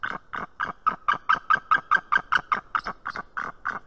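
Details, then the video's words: A female white-tailed eagle at an Estonian nest on 19 March 2018 at 7:04 am gives warning calls: a fast run of about sixteen harsh, yelping notes, roughly two or three a second, steady in pitch. "Merikotkas~Warning calls by the female"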